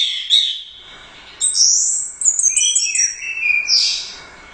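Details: First-place Royal Cup competition orange-headed thrush singing a high, ringing whistled phrase, a pause, then long sweeping notes and quick trills that fall toward a lower whistle.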